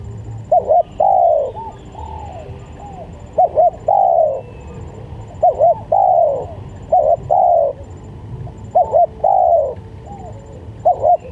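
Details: Spotted dove cooing, used as a lure call: repeated phrases of two or three short, quick coos followed by a longer, drawn-out arched coo, each phrase separated by brief pauses, over quiet background hiss.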